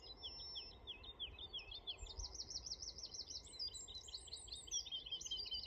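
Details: Woodlark singing in the Suffolk Brecks, 23 June 2022: fast series of liquid, looping notes repeated in runs that climb and fall, with a faint steady hum and low wind rumble beneath.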